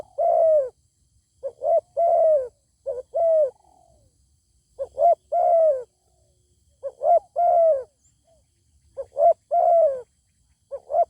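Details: Zebra dove singing back at a good-voiced wild bird that will not come down to fight. About ten phrases, each of quick stuttered notes and a drawn, bowed coo, come in clusters of two or three with gaps between.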